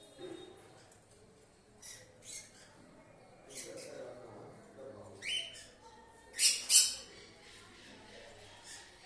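Cockatiels give scattered harsh, scratchy squawks and chirps, the loudest pair near the end.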